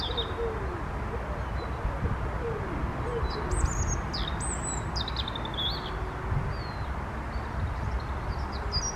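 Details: Wild European robin singing in cold early-April wind, 4 April 2023; several short, high, warbled phrases with sliding notes, separated by pauses. Lower drawn-out whistles sound underneath, and wind rumbles throughout.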